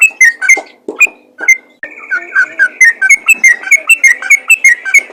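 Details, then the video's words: Spirited yellow-vented bulbul singing to attract other bulbuls, with a few loud whistled notes, a brief pause, then a long fast sequence of bubbly slurred whistles. "BURUNG TRUCUKAN ROPEL GACOR FIGHTER INI COCOK UNTUK MEMANCING TRUCUKAN LAIN"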